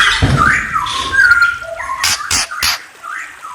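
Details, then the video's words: White-rumped shama singing clear whistled notes that slide and hold near one pitch, broken by sharp broadband clicks and a low rumble at the start. "Murai Bird Chirping"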